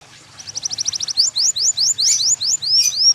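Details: Yellow canary singing: a fast, dry trill of short high notes speeds up, then gives way to a run of bright upslurred whistles repeated about four per second, with a faint low hum underneath.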